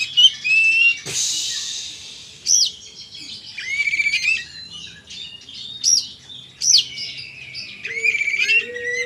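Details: Oriental magpie-robin, a kacer in energetic gacor singing, delivering varied high whistles, sharp rising and falling slurs and scratchy notes in rapid phrases, with a brief burst of harsh noise near the start and a low hum beneath.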